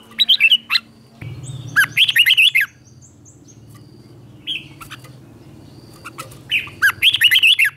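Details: Red-whiskered bulbul, likely a captive bird, singing a morning song used to train and provoke other bulbuls; bursts of loud, rapid warbled notes rising and falling, three phrases with pauses and a low hum beneath.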